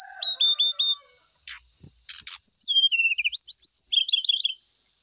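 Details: Brown-chested jungle flycatcher lure song, used as therapy while the bird is aired in the morning dew: quick thin chirps, a burst of rasping notes, then bright descending whistles and rapid trilled flourishes, high-pitched throughout.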